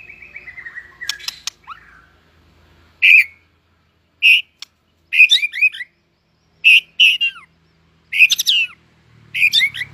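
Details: White-rumped shama, tail-flicking and newly coming into breeding condition, singing in competition style: a long falling whistle, then short rich whistled phrases with sweeping notes, repeated about every second, in a quiet setting with a faint low hum.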